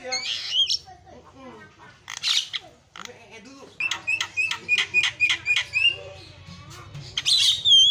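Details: Javan myna known locally as jalak kebo delivering an 'isian' song: rasping squawks and chatter give way to about ten crisp, repeated whistles, ending in a loud rising whistle.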